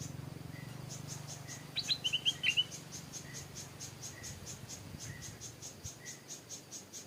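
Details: Stripe-throated Bulbul decoy, caged in a backyard where its mate lives, calling often to draw in wild birds. A short burst of quick, clear, tumbling notes comes early, with continuous rhythmic insect chirping and faint low hum.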